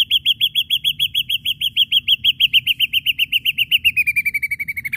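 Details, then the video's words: Ashy drongo singing actively as a lure recording, a fast, even series of sharp, clipped whistled notes, about three to four per second for the first part then quickening, each note hooked, slowly dropping in pitch toward the end. "srigunting abu abu gacor PANCINGAN PUKULAN TAJAM"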